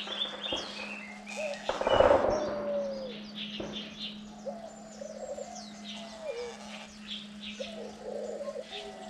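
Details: Parent diamond doves feeding their chicks on day nine of rearing; a loud rustling burst early, then a run of soft low coos, some drawn out and falling, amid many high chirps and a steady hum.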